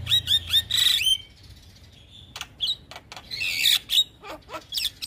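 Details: Javan myna song used to prompt other mynas to answer: a quick string of high whistled notes, a pause, then scattered harsh clicks and a loud raspy burst with whistles.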